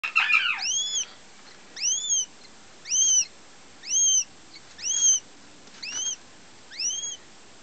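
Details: Female German x Finnish goshawk, a first-hatched young bird from 2009, giving clear whistled calls that arch up then fall, with a strong upper overtone, repeated about once a second in a quiet setting.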